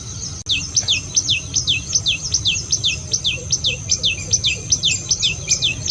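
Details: Chirping bird gives a steady series of sharp, high descending chirps, about two and a half per second, over a low background rumble.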